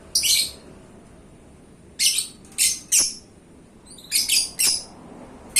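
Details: Pet lovebird of contest quality calling with loud, shrill, buzzy screeches, single and paired, separated by second-long pauses.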